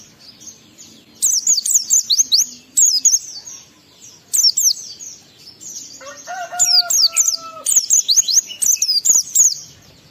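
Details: Oriental white-eye in sustained ngalas-style song meant to stir breeding urge in other white-eyes: long runs of fast, high, zigzagging chirps, with a brief lower harmonic call partway through.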